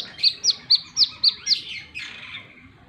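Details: Plain-throated sunbird, singing energetically in wiceh style, gives six sharp, high chips roughly every quarter second, then a falling, smeared twitter that fades out.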